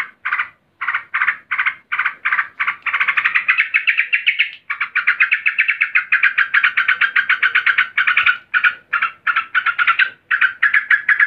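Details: Agitated female yellow-vented bulbul calling to a male: long run of rapid, harsh buzzy notes, about four per second, rising slightly in pitch midway, then steady chattering with a few brief pauses; no other sounds.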